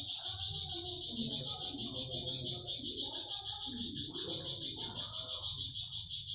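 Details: Masteran recording of a flamboyan bird's 'tembakan' song for training pet birds like cucak ijo and murai batu: a sustained sharp high trill with regular pulses. Mid-pitched murmuring sounds drift underneath.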